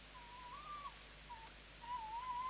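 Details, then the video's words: A tawny owl, recorded on 11 September 2017 after landing on a pole, gives faint, wavering hoot-like notes, a few short mid-pitched tones ending in a longer quavering one, over steady background hiss. "a Tawny Owl landed on the pole and call"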